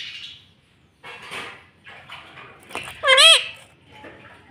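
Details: Pet rose-ringed parakeet saying "mummy": a brief nasal, harmonic two-part utterance near the end, after a few soft rustles and faint murmurs in a quiet room.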